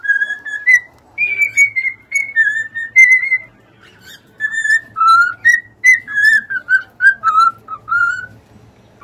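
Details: Cockatiels in song: bright whistled phrases at a fairly steady pitch, notes dipping and rising, delivered in quick succession with only short breaks throughout.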